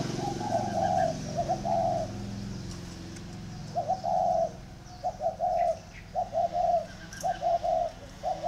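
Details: Two decoy spotted doves compete in a duel of coos. Paired mellow notes come in bursts with a long gap in the middle, then speed up into regular repeated coos over a low hum.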